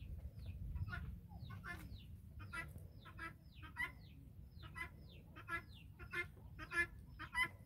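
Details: Farm-raised guineafowl flock trailing a hen, with scattered harsh, raspy call notes from several birds at uneven intervals, growing louder and more frequent toward the end, over low background rumble.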